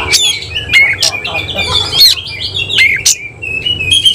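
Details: Oriental magpie-robin, semi-Cililin type, bursting into song with its tail fanned: a dense run of mixed chatters, squeaky whistles and harsh chips, ending in a series of thin steady whistled tones.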